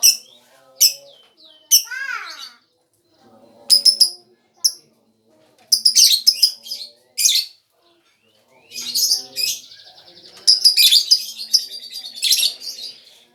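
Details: Lure call of a lovebird: sharp high squeaks and a quick descending whistle, building into long stretches of shrill, continuous chatter toward the end.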